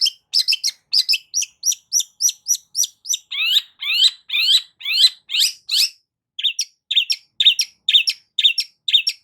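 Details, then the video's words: A long-tailed shrike sings as a lure for a silent bird, giving sharp high notes about twice a second, shifting midway to lower, sweeping, raspier notes and then back to clipped chirps. "CENDET MACET COBA PANCING DENGAR KICAU"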